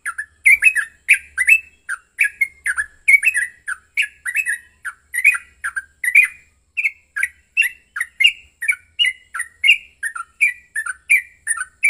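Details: Yellow-vented bulbul in an intense fighting song, used to provoke rivals into singing: a long, continuous string of quick, bubbly, up-and-down warbled notes, several per second, with crisp clicking accents throughout.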